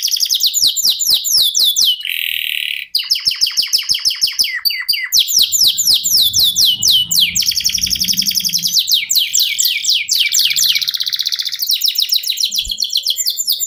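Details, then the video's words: Canary singing a long continuous ngerol song, kept as a songbird for contests: fast repeated downslurred high notes, buzzy trills and rolling passages in rapid sequence, with faint low rumbling in places. "NGEROL SEJALUR DURASI PANJANG..!"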